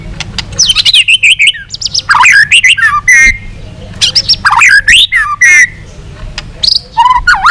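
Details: White-rumped shama singing a long-string song used for training and provoking rivals: rich, varied whistled phrases swooping up and down, mixed with harsh squawky notes and short pauses between bursts.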